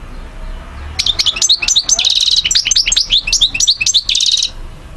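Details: A European goldfinch in Algeria, 2012, starts after a second of quiet and pours out a dense, rapid jangle of liquid twitters and buzzy trills lasting about three and a half seconds before stopping.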